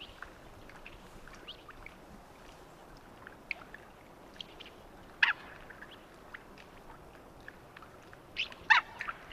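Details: Mandarin duck (Aix galericulata) giving two brief, sharp squeaky calls about three seconds apart, over a quiet outdoor hiss with faint ticking sounds.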